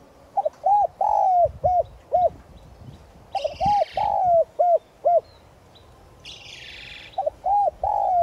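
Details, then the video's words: Lure call of a decoy spotted dove in 'giọng son' voice, aimed at drawing wild doves: three phrases of short hollow coos with one longer sliding note, broken by rough hissing bursts. "Cu gáy mồi chuẩn Gáy Gọi + thúc giọng son kích bổi nhanh nổi"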